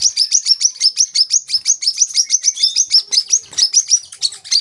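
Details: Olive-backed sunbird song used as a training recording for young birds: rapid high sharp chirps repeated about three per second in a steady run, some notes sliding upward, clean with no other sounds.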